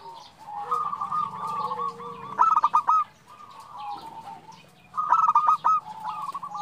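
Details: Female zebra dove calling a male: a stuttering run of quick coo notes swells to loud clipped bursts near the middle and end, with quieter sustained cooing and a faint low hum underneath.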